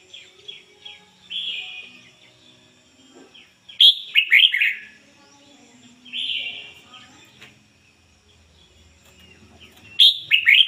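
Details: Red-whiskered bulbul decoy bird singing 'ngoi bổi' style: loud rollicking phrases of several sharp descending whistles about every six seconds, with softer warbled notes between them.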